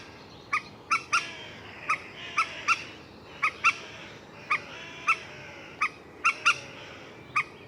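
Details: Common moorhen calling with abrupt, hard single and paired notes spaced irregularly over several seconds; faint background hiss.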